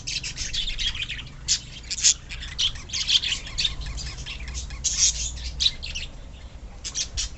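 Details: Budgerigars in a colony kept as pets: dense, high, scratchy chirps and squawks overlap in quick bursts, with several sharper peaks standing out, over a faint low hum.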